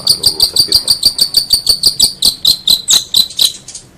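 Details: Tutor recording of a long-tailed shrike for competition songbirds: an even series of short, clipped high notes, about four per second, gradually slowing and fading.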